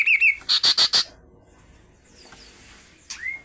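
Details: Kaso-kaso bird calling insistently: a quick wavering whistle, then four loud, evenly spaced high chips, followed by quiet and a single down-slurred note near the end.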